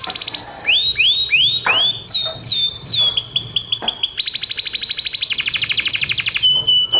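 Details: Canary training song for other birds: clear upward-hooked whistled notes repeated about three times a second, then descending slides, then very fast even rolls of clipped notes and a final steady whistle.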